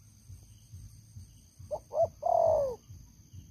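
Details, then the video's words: Spotted dove serving as a long-used trapping decoy with a loud voice. A single phrase: two short stuttering notes then one drawn-out hoarse coo that drops in pitch, over faint low rumbling. "Terkukur Pikat Lama, Selalu ok Suara besar"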